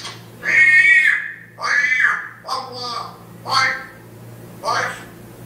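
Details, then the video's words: African grey parrot in Riyadh reciting the Quran, Surat al-Hamd, and repeatedly remembering God: five drawn-out, voiced speech-like phrases, some with a wavering tone, over a steady low electrical hum. "ببغاء كاسكو يقراء القران ويذكر الله كثيرا"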